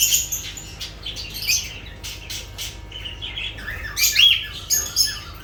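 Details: Lovebirds give a continuous jumble of shrill, scratchy squeaks and chirps, grading from soft to loud bursts.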